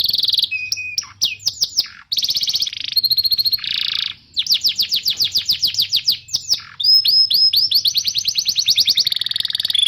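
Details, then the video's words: Canary singing as a training master for young and silent canaries: buzzy rolls, a low whistle, quick sweeping slurs, then long rapid pulsing trills and a fine high trill running to the end. "Suara burung kenari gacor Pancingan kenari paud kenari macet bunnyi"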